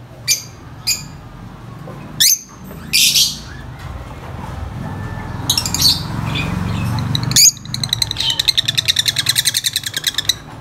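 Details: Lovebirds, very vocal and noisy, give a few harsh, high squawks. These are followed by a rapid, rhythmic run of shrill chirping notes, repeated many times a second for about three seconds.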